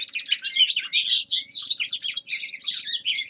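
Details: Young male common linnet in winter delivering a brisk, tightly packed twittering song, buzzy chirps and nasal trills running together with only tiny breaks.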